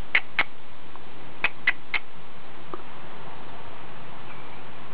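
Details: Four tiny house finch nestlings, just days old, in a nest in a hanging basket, July 2015, wake with the mother away and give short, high, squeaky cheeps: a pair, then a quick run of three, over a low steady hum.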